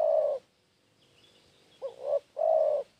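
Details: Lure cooing of a spotted dove: a long soft coo fades, then after a pause two quick rising notes lead into a full, steady low coo.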